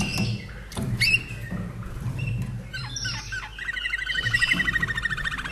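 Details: Austrian Slavujar canary born 2011, kept in a cage, giving scattered chirps and short whistles before breaking into a quick rhythmic trill toward the end; faint background hum throughout.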